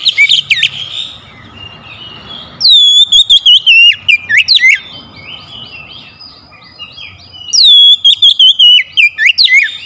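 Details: Oriental magpie-robin used as a lure to make quiet birds sing: two loud bursts of rapid, sharply rising and falling whistles with ringing harmonics, separated by a few seconds of softer background chatter.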